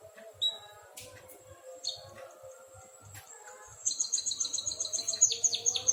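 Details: White-headed munia in full song, imitating a canary: scattered thin whistled notes give way to a fast, bright, high trill of rapidly repeated chirps, roughly two per second accelerating, with faint low background rumble.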